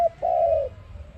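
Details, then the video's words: One dove phrase for a trapping lure: a clipped opening note, a brief gap, then a long, steady, mellow coo that droops as it fades. "Sound of ARIMIX dove quality sound to use for trap"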